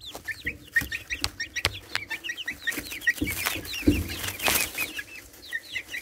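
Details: Four-and-a-half-week-old chicks keep up a continuous chorus of small high peeps, overlapping and rapid, with knocks and shuffling noises mixed in, captured by a phone camera placed among them.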